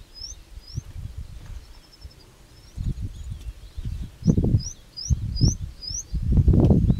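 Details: Indian bushlark recorded at Pune in September 2019: a series of short, high, upslurred whistled notes repeated in quick succession, partly masked by loud low rumbling wind or handling noise.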